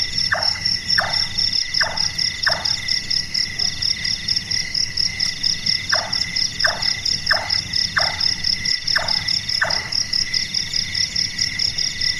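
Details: Night-active Large-tailed nightjar, locally burung tukang: two bursts of hammering notes, four then six, each about 0.6 seconds apart with a quiet three-second gap between, against a loud, pulsing insect chorus.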